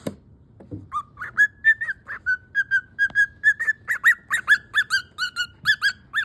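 A cockatiel calls over and over in clear, whistled chirps, protesting against going to sleep.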